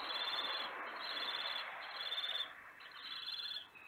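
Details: Common kestrel pair visiting a nest box in Théding, France, on 16 July 2021; a series of high, thin, strained notes, each about half a second long, repeated roughly once a second under a steady background hiss.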